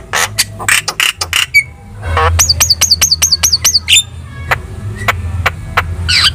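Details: Javan myna singing energetically as tutor material to draw responses from other birds: harsh chirps, then a run of about seven repeated high rising-falling whistles, then scattered sharp notes over a low hum.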